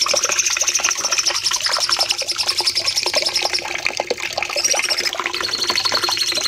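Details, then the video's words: Cucak cungkok bulbul in a training recording for caged birds, singing long shooting phrases: a sustained high rattling trill runs for several seconds, shifts pitch near the end, with dense chattering notes beneath. "Masteran Cucak Cungkok nembak panjang"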